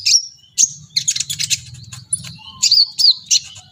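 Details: Brown-throated sunbird singing excitedly, plumage fluffed: a high whistle opens, followed by scratchy rapid twittering and clear swooping whistled notes, over a low faint hum.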